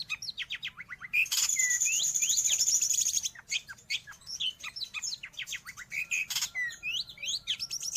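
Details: Long-tailed shrike song used for training pet birds or luring wild ones: a rapid, varied jumble of high chirps, sharp notes and whistled slurs, with a sustained high buzzy trill near the start and a dense loud burst midway.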